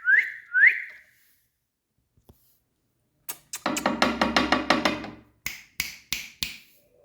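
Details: Green Indian ringneck parakeet indoors: two rising whistles, a pause, then a harsh raspy burst of about ten quick syllables and four sharp screechy calls.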